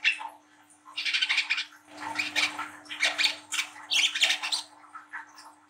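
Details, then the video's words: Young brown-throated sunbird at the spotted trotol stage, singing hard in the ngriwik nglagu style used as a lure to spur young birds: bursts of harsh, buzzy, high chatter in clusters separated by short pauses, over a steady low hum. "PANCINGAN KOLIBRI KELAPA WICEH MUDA TROTOL GACOR NGRIWIK NGLAGU"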